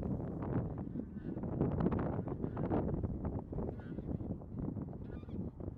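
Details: A loud, unbroken wall of low honks and gabbling from many bean geese calling together in a flock.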